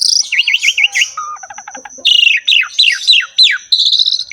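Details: Asian pied starling in full, lively song rich in varied fill-in phrases: a run of four quick rising-falling whistles, then a low buzzy rattle, then several loud downward-slurred whistles and a steady high note. A thin constant high tone runs throughout.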